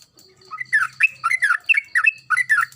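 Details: Sooty-headed bulbul (trucukan) in full, agitated song, used as a lure to get reluctant bulbuls singing: a rapid string of bubbly, slurred whistles around mid pitch, each short phrase rising and falling, run together for over two seconds.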